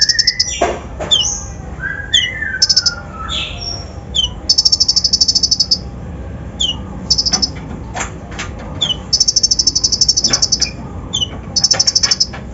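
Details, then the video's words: Brown-throated sunbird lure song rich in imitated fill-ins, played to provoke other birds; high buzzy trills and sharp chips among lower slurred whistles and scattered clicks. "PANCINGAN KONIN BAHAN FULL ISIAN KASAR COCOK UNTUK MENAIKAN EMOSI BURUNG BAHAN"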